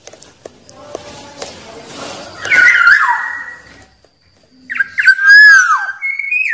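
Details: A wild black-naped oriole sings to challenge rivals with two bursts of mellow, slurred whistles about two seconds apart, separated by silence. Faint clicks are heard early on.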